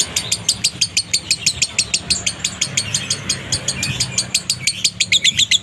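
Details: Lovebird konslet minor song, dry in tone, played to provoke other lovebirds: sharp high chirps repeated about twice a second, with a short rising note near the end.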